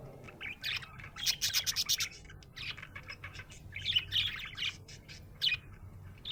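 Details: Cheerful budgie chattering loudly in rapid runs of sharp, high chirps and scratchy warbles, with short gaps between bursts and a faint low hum underneath.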